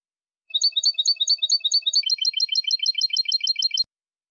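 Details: European goldfinch, clean linked song with two changes: a steady series of identical bright, ringing notes repeated several times a second, then a switch to a different, lower repeated note, each change held about 1.5 seconds.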